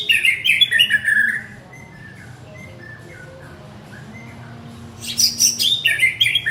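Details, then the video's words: White-rumped shama male calling for his partner: a phrase of bright varied whistles, a quiet stretch with faint distant notes, then another loud warbled burst, low hum throughout. "Chích choè lửa gọi bạn - Shama bird calls his partner"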